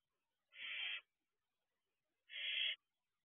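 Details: Two young barn owls sit together on an owl box roof in the small hours, 2 June 2023. Two rasping, hissy screeches, each about half a second, separated by nearly two seconds of quiet.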